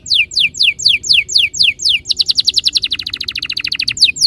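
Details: Canary lure song meant to make caged canaries start rolling. Downward-slurred whistles repeat about three per second, then break into a fast, dense trill of clipped notes.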